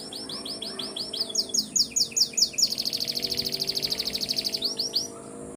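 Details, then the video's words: Canary morning song, described as calling the rain: a string of separate repeated swooping notes speeding up, then a long, dense, rapid high trill and a few final slurred notes. "Nyanyian Pagi Kenari memanggil hujan.."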